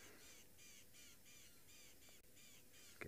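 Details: Rattling cisticolas, with a grey-headed bushshrike also calling, alarm-call at a young male leopard scent-marking on a South African sunset safari, 7 March 2023, giving harsh scolding notes in rapid bursts about twice a second.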